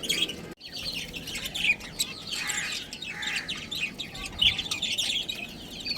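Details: Budgies in a colony with a breeding pair keep up a steady, fairly soft high twittering warble, broken by sharper squeaky notes, after a brief gap near the start.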